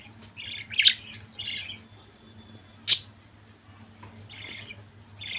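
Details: Domestic budgerigars in a family group give a few separated scratchy chirps with one sharp loud click-like note, long quiet gaps between, and a low hum throughout.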